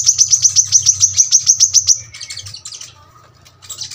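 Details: About a dozen sharp, high, fast-repeated notes from a brown-throated sunbird in the dense 'tembakan rapat' style, then softer scattered twitters fading out, with a low hum underneath.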